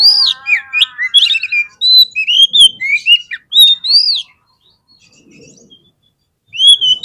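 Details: Kacer, the Oriental magpie-robin, singing as a fighter-provoking lure: rapid sweet whistles and upslurred and downslurred notes, with a short buzzy rattle near the start. A pause in the middle, then one more whistled phrase.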